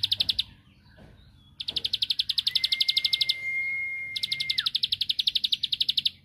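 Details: Bar-winged prinia rattling song of fast high notes in long bursts, with a steady thin whistled tone running underneath midway. The song serves to provoke a rival's answer.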